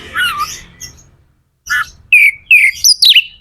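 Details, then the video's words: Magpie-robin (kacer) song intended to stimulate other birds: a slurred falling whistle, a pause, then loud clear whistles dropping in pitch and a rising-falling wavering phrase. "Suara kacer gacor / DONGKRAK EMOSI KACER DAN JEBOLIN BIRAHI BIKIN KACER CEPAT KONSLET"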